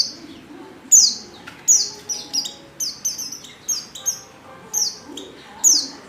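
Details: Female Oriental white-eye luring call meant to make males sing: a fast run of piercing, downslurred high notes, several per second at times, each clipped short, over a quiet murmur of distant birds.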